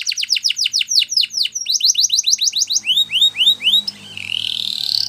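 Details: Spanish Timbrado canary in song, delivering rapid repeated falling notes that slow into wider downward sweeps, ending in a rising buzzy trill over faint low hum.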